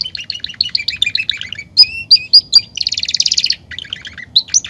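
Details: Belgian canary in song, played to warm up other canaries: rapid repeated chirping notes lead into a dense, buzzy, high rolling trill, then scattered sharp whistles, delivered with energy and no other sounds.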